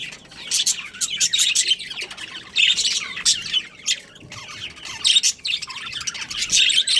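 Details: Pet budgies, an Australian parrot breeding pair, chattering in repeated bouts of scratchy high chirps and squawks, each bout about a second long, with quieter stretches in between.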